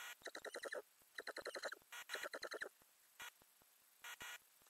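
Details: Ural owl inside a nest box with growing owlets, filmed 9–31 May 2020 by a camera under the lid: three quick bursts of rapid, rattling pulsed notes, each run about half a second long, then a few short hissy puffs.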